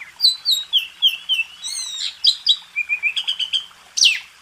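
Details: Master song of a White-rumped shama (kacer) for contest birds; a run of descending whistled notes, a bubbling chatter, repeated short flat notes and a final sharp downslur.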